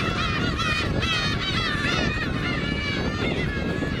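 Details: Black-tailed gulls gathered on Kabushima island in winter on New Year's Day 2015; a crowd of mewing calls over heavy low wind rumble.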